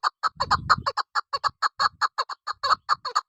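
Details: Loud, clear clucking series from a female chukar partridge used as a hunter's lure, notes repeated quickly and fairly evenly, some low background rumble during the first half-second.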